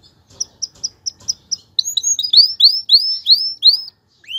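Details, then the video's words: Male canary song to stimulate a female to mate and build a nest; six evenly spaced short whistled notes, then a run of loud upswept arching whistles, ending with one rising note. "اقوى تغريد ذكر الكناري لتجهيز انثى الكناري للتزاوج و تحفّزها على بناء العش CANTO CANÁRIO"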